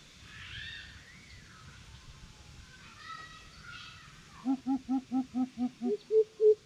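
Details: Challenging greater coucal: after soft distant background sounds, a run of about nine deep, evenly spaced hoots begins, the last few slightly higher and louder.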